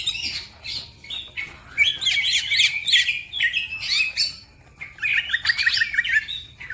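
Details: Green leafbird in fast, lively song with other birds singing too; mixed chirps, buzzy squawks and whistles in uneven bursts about three per second, a brief lull, then a run of repeated notes.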